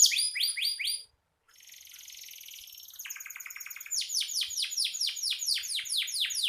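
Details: Canary singing gacor, used as a master song for training songbirds; quick high descending notes, a short pause, then a soft buzzy roll building into a loud series of repeated sweeping trill notes.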